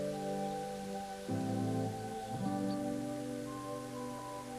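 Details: Soft instrumental music with held tones and a chord change partway through; no animal calls.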